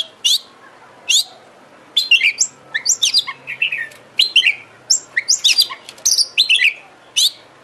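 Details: Oriental magpie-robin (kacer) lure song for coaxing a bird to sing and spread its tail: two isolated sharp notes, then a long run of rapid chirps, trills and slurred whistles, with one more high note near the end.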